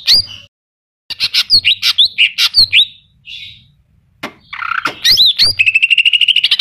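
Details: Greater green leafbird in vigorous song stuffed with imitations of kapas tembak and cililin: a rapid series of sharp, up-slurred whistled chirps, a brief buzzy note, then a fast even trill closing the phrase.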